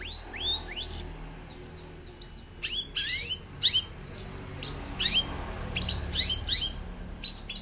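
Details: Young long-tailed shrike, described as full of varied fill-in phrases and fighting spirit. It gives a loose string of high, sweeping and rising notes with irregular gaps, over a steady low hum.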